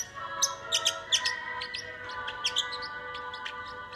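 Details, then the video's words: A parrotlet sings along to Disney's "It's a Small World": sharp, high chirps and short tweets at an uneven pace, at times several a second, over the steady music. "Bird Sings Along"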